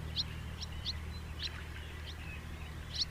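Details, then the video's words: Calls of a house martin: brief, high, clipped chirps, six or so in three seconds at uneven gaps, with soft twittering between and a constant low rumble beneath. "SOUND OF A HOUSE MARTIN 🔊 What does a house martin sound"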